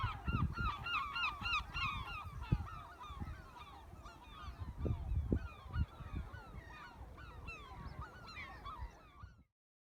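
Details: Gulls in a flock at a freshwater reservoir in Rye, Kent, calling over one another in harsh, nasal, rapidly repeated cries, several a second, with a low rumble of wind underneath.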